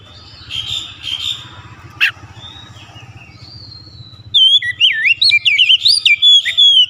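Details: Faint chattering and a sharp click, then an Oriental magpie-robin breaks into a loud run of twisting whistled notes lasting over two seconds.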